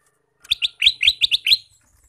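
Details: Male sooty-headed bulbul, a lively singer used to lure wild bulbuls into a trap, gives seven crisp, bubbly chirps in quick succession within about one second, over a quiet background.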